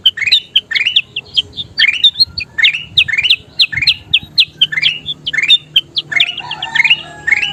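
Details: A kutilang emas bulbul sings vigorously, recorded for teaching other songbirds: rapid upslurred chirps and clipped high notes in a steady series, with a softer lower whistled phrase near the end.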